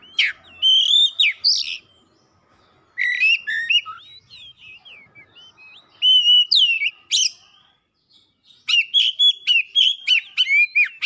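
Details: Oriental magpie-robin (kacer) in vigorous, heated song, unloading its repertoire: bursts of clear whistles around mid-high pitch with sliding notes and sharp chirps, separated by brief pauses.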